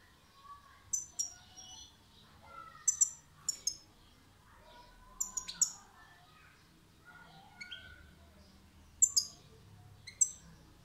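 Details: European goldfinch song: short bursts of high, thin whistled notes come roughly every two seconds, with softer, lower warbled phrases between them against a quiet background.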